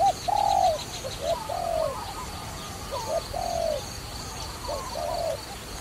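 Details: Dove linked to trapping, giving soft, low hooting coos in short runs of rounded notes, roughly eight to ten over six seconds, some paired, over a steady faint high-pitched hum in the background.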